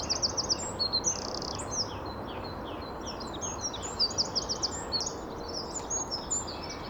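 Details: Great tit singing its 'teacher teacher' song, a common garden and woodland bird, with another one answering from nearby: thin, high, quickly repeated two-note phrases with other bright chirps and faint background hiss.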